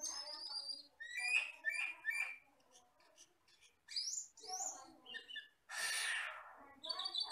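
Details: Forest-living common hill myna, jet black with red eyes, in a recording used to train other birds. Bursts of chattery notes, clear rising whistles and a harsh hissing rasp, separated by short pauses.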